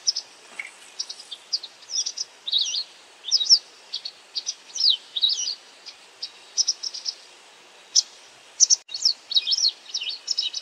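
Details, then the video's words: White wagtail calling while feeding on insects: sharp, high chirps, often paired or clipped into short double notes, repeated almost continuously two to three times a second over a faint steady hiss. "ハクセキレイの鳴き声 捕食しながら地鳴き?"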